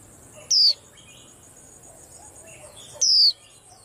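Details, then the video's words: White-eye kept among a rack of cage birds, its calling said to stir up the whole rack: two sharp, thin, high whistles, each sliding downward for about a quarter second, spaced some two and a half seconds apart over quiet background. "Tiếng Chim Khuyên Làm náo loạn cả giàn"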